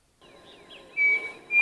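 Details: Pavonine cuckoo (Dromococcyx pavoninus) on a foggy morning in the Mato da Capela woods, Bozano, Rio Grande do Sul, Brazil, giving two clear, level whistled notes about half a second apart, with faint chirps and soft background hiss.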